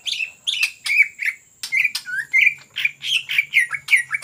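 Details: Energetic ngetrok song of a greater green leafbird, sung to lure other birds: loud choppy chatter of short whistled slurs and sharp clicks in quick irregular bursts, some notes dipping then rising, over a faint low hum.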